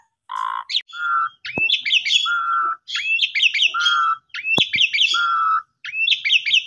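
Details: Asian pied starling in lively full song, used as a lure to get quiet or sulking starlings singing: a steady mid-pitched whistle, then bursts of sharp rising notes, in phrases about every one and a half seconds.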